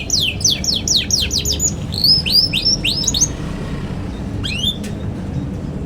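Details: Young canary singing a lively ngeriwik twitter used to teach other young canaries: fast series of sharp rising-then-falling whistled sweeps, about four per second for three seconds, then a pause and a brief final chirp.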